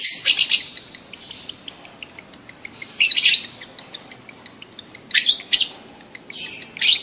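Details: Lovebird in breeding condition giving a mating call, used to stimulate adult lovebirds to mate: shrill, harsh chattering bursts at about 0.3, 3, 5.2 and 7 seconds, with sharp ticking chirps between them.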